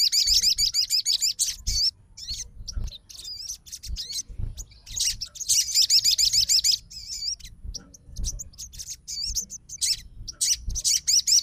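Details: Long sequence from a fighter Crimson Sunbird replying immediately to another sogon's song: loud runs of rapid, thin, looping trills alternating with short pauses and scattered chips.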